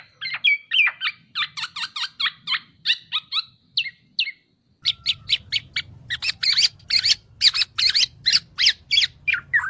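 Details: Black-naped oriole song used as tutor material: fast bursts of high, sharp chattering notes, briefly broken by a pause, then dense rapid chips over a steady low hum.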